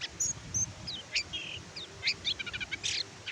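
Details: Oriental white-eye (kecial kuning), tutor song for reluctant caged birds: scattered high whistles, short sweeping notes and a quick stuttered trill over a low background rumble.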